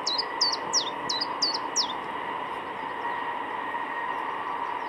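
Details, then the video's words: Singing Common chiffchaff gives six quick, high, dropping notes in under two seconds, then falls silent. A steady mechanical hum drones through the whole stretch. "zingende tjiftjaf"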